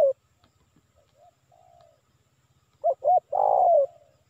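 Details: Indonesian spotted dove lure call to attract wild birds. Faint soft coos lead to one loud phrase: two short curved notes and a long coo that fades downward, over a low steady hum.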